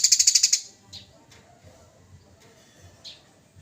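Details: Training recording of a fighting Eurasian tree sparrow: an opening rapid series of about eight piercing high chirps, then a few spaced, fainter single chips over quiet background.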